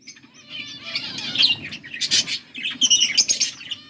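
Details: Two caged budgies chatter together, a dense run of buzzy chirps and fast warbles that grows louder toward the end, with a faint low hum underneath.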